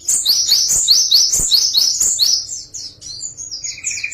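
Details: Java sparrow song variation, a rapid stream of high, squeaky chirps that fades into thinner, scattered notes and ends with a short buzzy trill.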